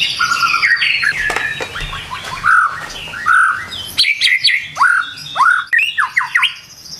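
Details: White-rumped shama, morning song: scratchy, mixed chattering and whistled phrases, followed by a run of clear rising upswept whistles repeated several times.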